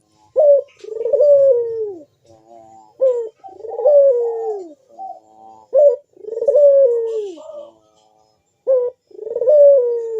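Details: Loud, sharp bekur cooing of a collared dove (puter), meant to coax other doves into singing: abrupt clipped notes, each leading into a drawn-out descending coo, repeated at an even, unhurried pace.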